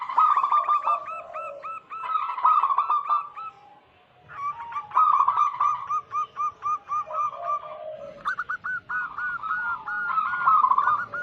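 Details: Several overlapping zebra doves, local wild birds, recorded as a lure to attract wild doves and restart silent singers. Bursts of fast clipped coos and rolling trills alternate with soft, low purring coos.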